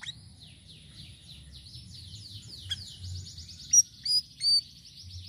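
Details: Sirisiri song used as a lure for birds. A long, high, rippling chatter of quickly repeated sliding notes, ending in three loud pure whistles, over low background noise.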